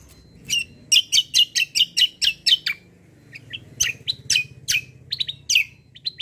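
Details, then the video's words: White-eye singing kecial kombo, a lively tutor song: a regular run of loud sharp chirps about three per second, a short pause, then more varied high notes and quick twitters. "KECIAL KOMBO CUCAK KOMBO FIGHTER GACOOR"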